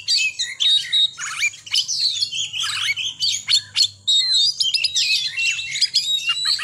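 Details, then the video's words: Oriental magpie-robin singing in short ngekek bursts, brief phrases of shrill whistles, harsh chatters and downward-sliding notes separated by tiny gaps, varied and energetic throughout. "kacer gacor ngekek pendek-pendek"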